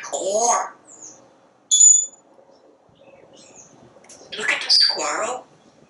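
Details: Talking parrot on a screened back porch, commenting on squirrels and birds: a spoken-sounding syllable, a short pure high whistle, soft faint chirps, then a longer garbled speech-like phrase.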